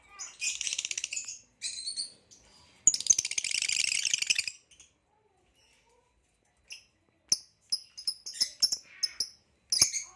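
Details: Singing male green hybrid Lilian's lovebird with a ringed leg: bursts of buzzy, shrill chattering, a dense scratchy warble lasting over a second, silence, then quick scattered high chirps.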